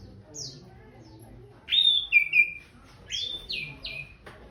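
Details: Orange-headed thrush after a bath giving a few clear whistled phrases: a high downslurred note, then paired falling whistles, with a quiet pause between them.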